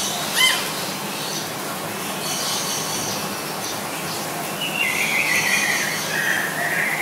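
Guianan cock-of-the-rock giving a sharp squeal near the start, then a drawn-out, harsh, slightly falling squawk over steady forest hiss.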